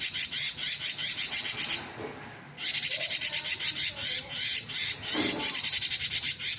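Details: Cinereous tit chattering in konslet style: rapid buzzy pulses at about four per second, one short silent gap early on, then the harsh stream starts again and runs to the end.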